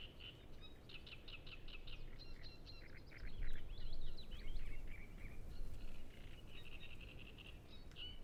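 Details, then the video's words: Many great reed warblers singing at Ema-Joe Suursoo Natural Reserve beside Lake Peipus, recorded on a Zoom F6 with Sennheiser MKH 8040: buzzy, grating repeated syllables in dense runs, swelling midway, with strong low rumbling noise beneath. "Great Reed Warbler Sound Library"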